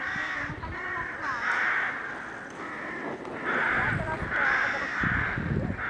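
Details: A crowded crow colony in May 2020: many crows caw at once in a dense, harsh chorus of overlapping rasping calls that swell and fade every second or so, over low splashing (mallard ducks washing) and rumble.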